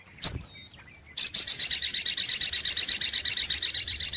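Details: Lure recording of a sunbird: one sharp high note, then after a short gap a steady run of quick, thin, buzzy notes repeated roughly four times a second until the end.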